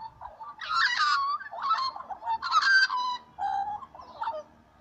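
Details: Little magpies in morning song, with strong, rich harmonic phrases in separate bursts, some rising and falling sharply and others held as steady fluting notes, with short silences between.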